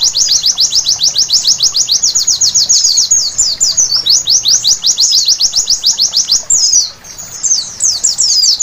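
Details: White-eye singing at night for bird-song therapy: rapid series of high, sliding notes, several stretches of even repetition separated by brief warbled tangles and one short pause near the end.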